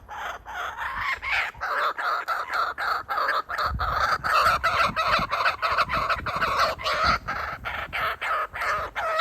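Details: Kookaburra parent teasing a youngster with food: a long, even series of harsh chortling notes repeated about three times per second for over nine seconds.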